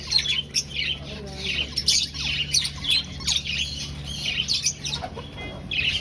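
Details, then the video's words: Several aviary finches breeding in a colony, nest-hunting; busy chorus of rapid high chirps and squeaks overlapping continuously, over a steady low electrical hum. "Finch Sounds"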